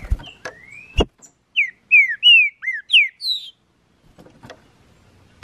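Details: Captive green-winged saltator, taken into the bush in May 2019 after its moult to train, sings a fast run of clear, slurred whistles, each note sliding up or down, the phrase lasting about two seconds, with sharp clicks and knocks before it.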